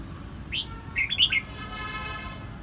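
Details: Brief burst of song from a red-whiskered bulbul in Quang Nam, Vietnam: one short, lively cluster of chirpy slurred notes with a faint tonal hum lingering afterward.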